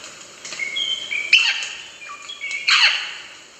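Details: Rosella calling with clear, level whistled notes that step between pitches, each series broken off by a harsh, chattering burst, twice in quick succession.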